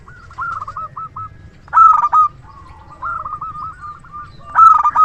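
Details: Local zebra dove singing actively with a loud voice, used as a decoy to lure other doves: soft stuttering trilled coos, then two loud bursts of clipped, ringing notes near 1.8 and 4.6 seconds.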